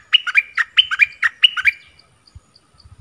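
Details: Lively repeated chirping phrase of a decoy bulbul attracting wild birds, recorded 16 March 2021: paired bubbly notes in three quick rounds, then quiet with a few soft knocks.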